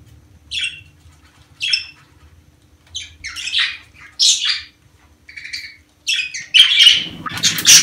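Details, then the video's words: Budgerigar mating-season chatter: buzzy, grating squawks spaced out at first, then growing denser and overlapping toward the end as the calling turns busier, over faint low room hum. "دع اناث البادجي تسمع هذه الاصوات كي تبيض بسرعة"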